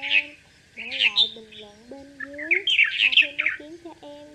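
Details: Red-whiskered bulbul flock call from a male and female pair, recorded for bird trapping: a few bright chirps, a pause, then a busy run of squeaky notes, accompanied by lower wavering whistled tones.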